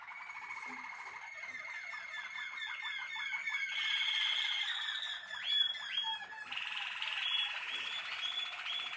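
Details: Captive-bred Malinois Waterslager canary pouring out fast rippling trills. These shift into louder gurgling, bubbling passages and then a higher warbled section.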